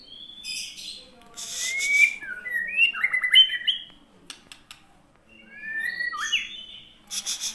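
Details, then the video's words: White-rumped shama from Aceh giving bright, varied whistles and slurred notes in two bursts separated by a quiet pause, with scattered sharp clicks and rustling noises in between. "Pastol Murai Aceh"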